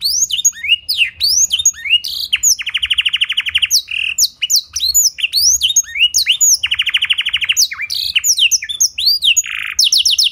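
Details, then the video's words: Clear canary song with blackthroat-style fill-in: rapid high chirps and swooping whistles around two long, even, rattling trills, sung continuously throughout. "Pancingan & Masteran Burung Kenari Isian Blackthroat Suara Jernih! Bakal Langsung Ikut Gacor"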